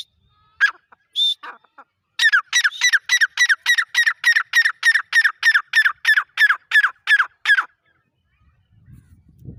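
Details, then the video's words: Grey francolin in a fast rhythmic calling series: after a few introductory notes, about eighteen harsh, evenly spaced notes tumble out over six seconds, then stop; faint low rumble at the end. "Gora teeter ki awaaz|Dakni teeter ki voice|تیتر کی ساونڈ"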